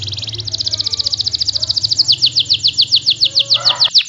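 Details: A canary in full voice delivers a long rolling trill of rapid chirps, about three to four notes a second, that grows louder and turns into sharper falling notes. It is used to get quiet canaries singing, over a low background hum.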